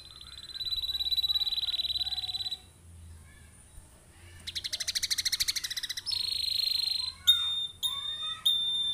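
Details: Canary song from a prompting recording for other canaries: a sustained high trill, a pause, a buzzy rapid rattle, a steady whistled note, then short clipped high phrases separated by gaps.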